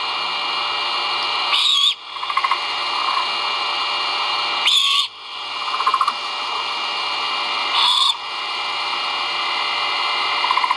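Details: Feeding time at a great horned owl nest watched by a live camera, 1.04.2022, with the chicks vocalizing. Three raspy screech bursts arrive about every three seconds, with faint clicking between them and steady hiss behind.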